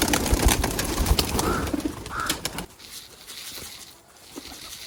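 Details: Several pigeons, with the males calling excitedly at the sight of grit feed, coo low and throaty amid loud scuffling and fluttering for the first few seconds, then things quieten to faint background sounds.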